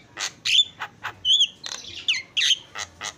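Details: Cage-kept Javan myna in a noisy master recording for training birds, giving raspy squawks alternating with clear upslurred whistles at irregular intervals, about one note each second.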